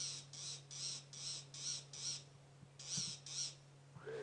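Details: A very noisy fork-tailed drongo in the African bush on the morning of 30 August 2016 is complaining near a male leopard feeding on an impala in a tree. Harsh, rasping notes come about twice a second over engine hum and a brief voice.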